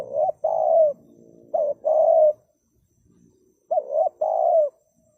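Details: Spotted dove giving three phrases, each a quick bent coo followed by a longer, slightly falling coo, spaced about every two seconds, over a soft low murmur.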